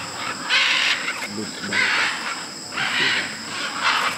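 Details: Hundreds of macaws and parrots gathering to eat clay at the largest macaw clay lick, in Tambopata, Peru; harsh, broad squawks burst out roughly once a second over a steady, high insect drone.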